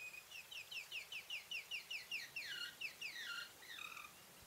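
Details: English White Coturnix quail hen, calling in a context given as alarm, mating or egg-laying: a fast run of short, high, downward-sliding chirps about two and a half per second, then a few longer slurred descending notes, over faint background hiss.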